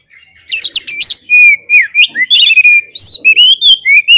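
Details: Oriental magpie-robin singing to rouse rival fighter birds: loud, rapid, varied song mixing harsh chattering bursts with ringing slurred whistles, phrases tumbling almost without pause.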